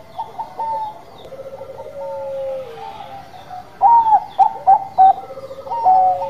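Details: Actively singing Bangkok zebra dove: overlapping soft coo phrases at two pitches, then a burst of four loud, clipped, hiccuping notes and another lilting coo.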